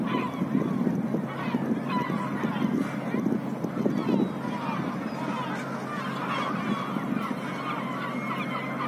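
Black-headed gulls in a dense, noisy chorus of harsh, rasping calls that overlap continuously. There is a low background rumble.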